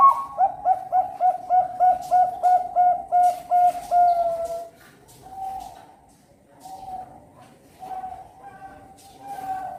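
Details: Captive Bangkok-type zebra dove (perkutut), a competition bird bred in Cirebon, Indonesia, hatched December 2021: a fast run of about a dozen mellow, even cooing notes in a steady rhythm, fading into softer, scattered coos indoors.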